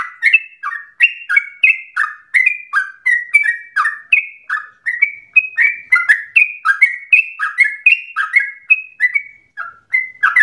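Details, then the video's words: Lure recording of a Yellow-vented bulbul, meant to make other bulbuls sing long rolling phrases: a continuous chatter of liquid, downward-slurring notes repeated rapidly for ten seconds without pause. "PANCINGAN TERBAIK agar trucukan menjadi gacor ropel nafas panjang"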